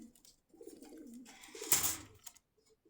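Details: Pigeon offered for sale at Meradia market, Khilgaon, Dhaka, Bangladesh. Two low rolling coos are cut by a sharp clattering noise, and a brief coo is heard at the end.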